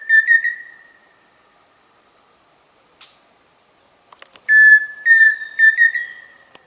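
A Pheasant Cuckoo gives clear, mid-pitched whistled notes in quick bursts, a long whistle followed by short stuttering notes, over a faint thin high whistle in the background.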